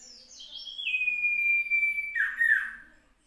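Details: Common iora singing in South Malang on Monday 16 June 2020. Sliding high notes lead into a long, even whistle held for over a second, ending in a burst of buzzy, tumbling lower notes over faint background hum.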